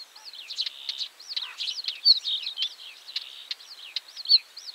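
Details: Northern wheatear singing: a fast, scratchy warble of looping whistled notes mixed with sharp clicks and crackles, flowing almost without pause, with quiet background noise.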